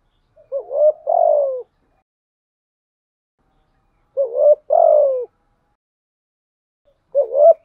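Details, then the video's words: Spotted dove kept as a decoy bird, cooing steadily: low, mellow two-part coos, a short note followed by a longer falling one, repeated about every three seconds against a silent background. "chim cu mồi thúc gù liên tục"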